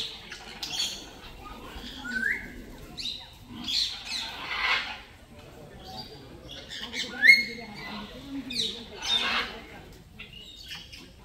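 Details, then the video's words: Parrot giving loud natural calls: harsh, raspy squawks in bursts every second or two, mixed with short rising whistled chirps, separated by brief quieter gaps. "Loud Parrot Chirping | Natural Parrot Sounds"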